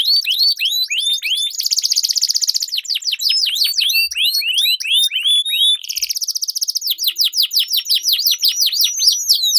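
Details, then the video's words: Canary song in a long-rolling duel, meant as a lure to train competition birds: quick trills of hooked chirps alternating with buzzy sustained trill bursts, loud and continuous. "Duel Burung Kenari Suara Merdu Ngerol Panjang || Pancingan Ampuh Kenari Macet Gacor Ngerol Panjang"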